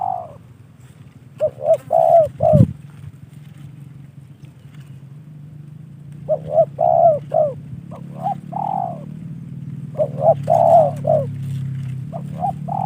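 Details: Hobbyist's trained spotted dove, a gifted bird, repeating short cooing phrases of three to five mellow notes separated by pauses, with a dull thud early on and constant low background hum.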